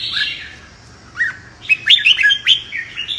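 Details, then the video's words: Competitive song of a red-whiskered bulbul, used to spur wild-caught birds into singing. A short slurred note opens it, then a quick run of bright chirping whistles bursts out with loud clicking accents. "Chào Mào Hót Đấu - Luyện Chào Mào Đấu Lên Lửa - Kích Bổi Sổ Bọng Hót Đấu,suara burung merbah jambul"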